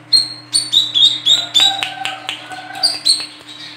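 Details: Female olive-backed sunbird giving sharp, rapid, close-set calls used as a lure to provoke other sunbirds: high, slightly falling chirps, about four per second, over a steady low electrical hum.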